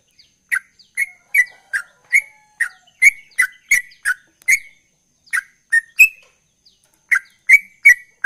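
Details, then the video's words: A chatty sooty-headed bulbul sings in the ropel style: groups of sharp, bright chirps at a brisk pace, separated by short silent gaps, with one higher whistled note mid-run. "Trucukan Gacor Ropel"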